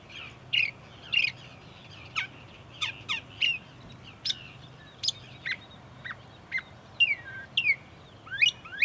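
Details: A Northern Mockingbird in bushes beside a parking lot at Cape May Point, New Jersey, USA, sings a run of short, varied chirps and sharp down-slurred notes, often in quick pairs, with a faint low hum behind.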